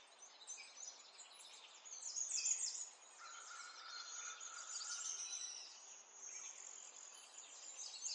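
Many sparrows chirp together in a dense morning chorus of high, quick, overlapping notes. A faint steady hiss runs beneath them.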